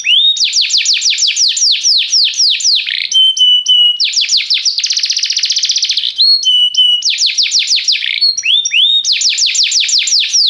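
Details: Canary singing restlessly: bright rolling trills of quick downslurred notes, alternating with short flat whistled tones and buzzy rattles, the phrases switching every few seconds.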